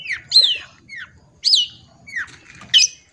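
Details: Long-tailed shrike song for training young birds: a few sparse whistled notes, each dropping then rising, spaced more than a second apart.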